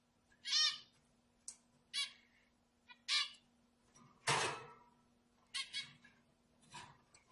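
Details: Zebra finch sounds used to stir up other birds. Short nasal, trumpet-like calls come roughly once a second, each a brief harmonic burst, with a faint background hum.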